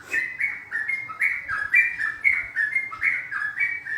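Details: Yellow-vented bulbul, a lure call used to attract birds for trapping: a lively chatter of bubbly, slurred notes, each roughly half a second long, repeated continuously in a rollicking run with little background noise.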